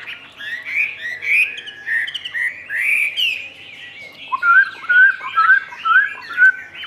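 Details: Captive Chinese hwamei in varied song: rich warbled and slurred whistles at first, then a series of lower, clear whistled notes repeated about twice a second with soft twitters between.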